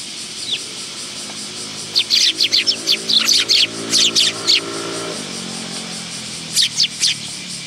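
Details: Willow tits coming to a bench feeding spot at a Tenmangu shrine, 10 August 2022: busy bursts of high, twittering chirps in close runs, then a pause and a few more notes, with a low mechanical hum underneath.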